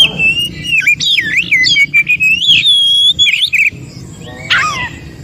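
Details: Wild forest Oriental magpie-robin, whose song is played to make non-singing magpie-robins respond: rich warbling run of looping whistles and slides, a high thin note near the middle, then a brief pause and a final descending chirp.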